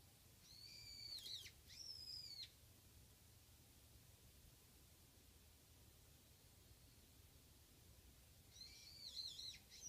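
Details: Japanese white-eye, one bird arriving alone behind a house: two thin, high arched notes sliding down near the start, then silence, then a fresh burst of wavering high twitters at the end over low hum.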